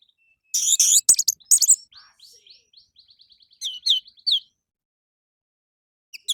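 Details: Orange-headed thrush singing in the morning, used as a lure to make captive birds sing. Bursts of high, sharp chirps, then a quick run of short, evenly spaced notes, a few louder chirps, a pause, and two final short notes.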